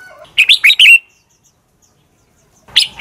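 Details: Red-whiskered bulbul fighting song for training; three or four quick, loud slurred whistles ending in a drawn note, a long silence, then the start of a fresh phrase.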